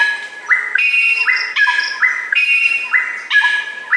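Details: Greater racket-tailed drongo (Dicrurus paradiseus), song.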